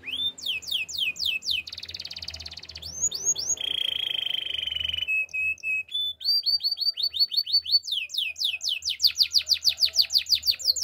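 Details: Canary in full song, alternating rapid sweeping chirp series with dense buzzing trills and a clear sustained whistle, ending in a long fast volley of sharp rising-falling notes.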